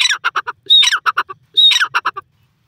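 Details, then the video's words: Grey francolin (Bhura Teetar) from Pakistan calling twice: each phrase starts with a short high whistle, drops into a raspy falling squawk, then a stuttering burst of four or five dry, clipped notes, with pauses between. "Bhura Teetar awaz,Francolin Bird Best Sounds"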